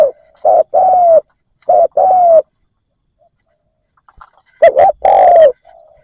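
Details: Cooing of a decoy spotted dove used to attract wild doves: paired phrases, a brief coo then a longer one sloping downward. A gap follows, then another louder, richer phrase.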